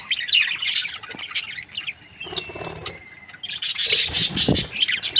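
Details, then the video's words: Australian budgerigar breeding pair described as happy, giving bursts of high, scratchy chirps and warbles with a thin whistled note in the middle, pausing briefly before a louder dense chatter. "Happy budgie chirping sounds | Australian budgies breeding pair"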